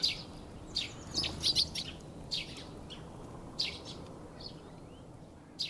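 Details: Eurasian tree sparrow recorded on a Roland R-05, giving short, sharp chirps in loose bursts, some in quick clusters, spread irregularly over several seconds against a low, steady background rumble.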